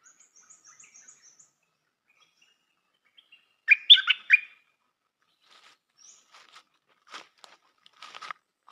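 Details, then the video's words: Stripe-throated bulbul decoy bird with a short, loud bubbly lure phrase in the middle, surrounded by faint high chips and soft clicks. "Suara pikat merbah lekir"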